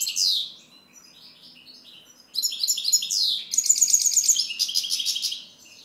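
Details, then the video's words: European goldfinch singing: a short downward slurred phrase, a pause, then a long bright sequence of fast twitters and a buzzy high trill. "Chant Chardonneret"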